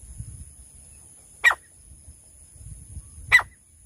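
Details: Female francolin calls used for hunting in bushland: two short, harsh, rasping notes about two seconds apart over a steady high electronic whine and low rumbling background.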